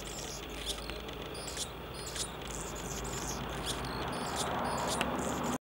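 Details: Male Anna's Hummingbird singing on a blackberry bush in Gibsons, BC, Canada: thin, scratchy, very high buzzes and squeaks in short bursts about every second, over a steady rushing hiss.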